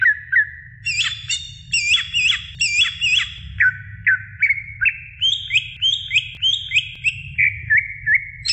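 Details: Female greater green leafbird calling the male: clear whistled notes, several with sharp hooked upswings, in quick runs, then a series of rising slurred whistles, all fairly high, with a faint low hum beneath.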